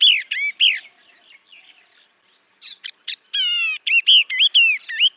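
Yellow-eyed babbler giving loud, clear whistled notes, arched and wavering, in quick bursts with a short chattering break in the middle.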